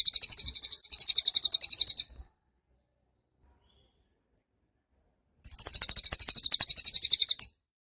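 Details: A cililin singing vigorously, offered as master song for songbirds: a shrill, rapid trill broken into two quick runs, then quiet for three seconds before another two-second burst of the same piercing pulsed notes.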